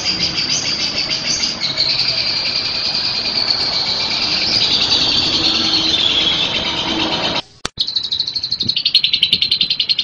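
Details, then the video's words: Lovebird performing its long ngekek song, a continuous high, rapid buzzy trill that slowly drifts lower, breaks off abruptly near the end, then resumes as a faster pulsed chatter. "PESONA LOBET SEDANG NGEKEK PANJANG"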